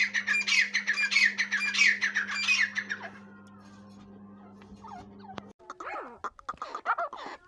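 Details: Grey francolin giving a rapid series of rasping, rhythmic call phrases for about three seconds, then quieter. Other squeaky, twisting notes follow. A low hum sounds in the background.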